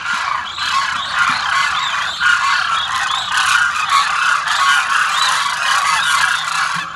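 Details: A large flock of demoiselle cranes landing on the feeding ground at Kheechan, Jodhpur, Rajasthan, gives a dense, unbroken chorus of rolling, croaking trumpet calls, many birds overlapping with no pause.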